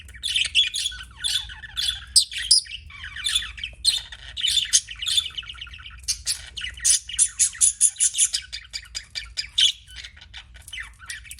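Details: Pet budgies chattering with a lively run of chirps and warbles, then a fast, evenly spaced series of sharp ticking notes near the end, low hum in the background.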